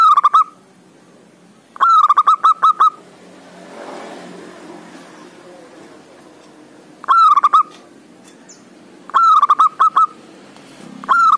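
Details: Loud-voiced male local zebra dove (perkutut) calling a rival, used to coax reluctant doves into singing. Five cooing phrases, each a rising lead note then a quick series of repeated coos, coming in irregular bursts.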